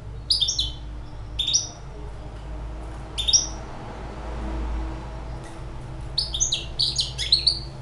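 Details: Six-month-old hybrid European goldfinch singing: bursts of bright, high twittering notes with sharp upward-sweeping chirps, separated by short pauses, over a low steady background hum.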